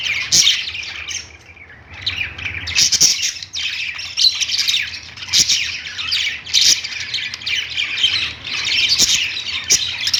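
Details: Several budgerigars on a perch in a pet store chatter without a break, a busy mix of high warbles, squeaks and scratchy chirps, with louder sharp squawks every second or so.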